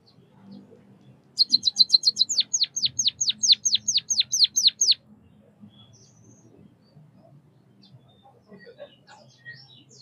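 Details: White-headed munia (Lonchura maja) from Southeast Asia gives a quick burst of high chirps followed by a run of falling whistled notes, then near quiet with faint low hum.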